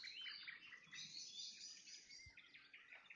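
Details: Nightingale trills at sunset: a quieter, blurred run of high chirps and warbled notes against steady low background rumble. A brief low thump is heard partway through.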